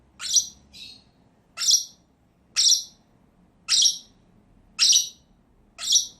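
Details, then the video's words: Pet lovebirds, two kept together, give sharp, piercing shrieks, about seven short high notes spaced roughly a second apart, each rising quickly and cutting off, against a quiet indoor background. "CİCİKUŞ SESİ----Cennet Papağanı"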